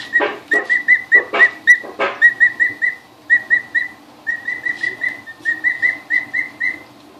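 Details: Two-week-old emu chicks on their first glimpse of the house, recorded 2013: loud thumps at the start, then continuous high whistled peeps in quick groups of three to five, fairly even and slightly upslurred.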